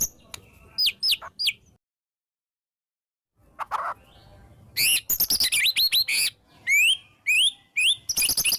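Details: Shama song with fill-ins and "tembakan" shots, meant to stir white-rumped shamas into singing; a few rising whistles, a short silence, then dense chattering and repeated upward-sweeping whistled notes.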